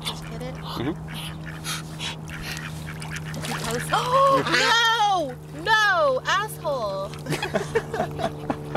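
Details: Duck whose call is said to sound like a dog: a short run of loud, harsh, arching calls with rich overtones, several in quick succession mid-clip, over a man talking and a steady low hum.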